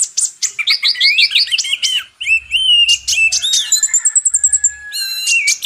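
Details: Purple-throated sunbird, locally called kolibri ninja, in a song-tutor recording for magpie robins: a rapid run of high, bright, sliding whistled notes, then thin clicks and a short, very high, fast trill, all with no background noise.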